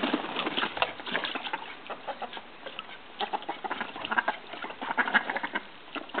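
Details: Call ducks, also called bantam mallards, in Australia while flirting and mating, giving a dense chatter of rapid, harsh quacks and clucking notes that overlap continuously, with bursts of louder calls throughout.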